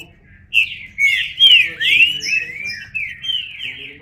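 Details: Green-winged saltator singing a dense phrase of loud whistled slurs, several sharply falling, running almost without gaps and trailing into softer notes, over faint low background hum.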